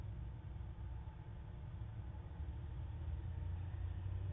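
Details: Low engine rumble and traffic drone in Manchester, New Hampshire, on 7 September 2018, with no animal calls heard.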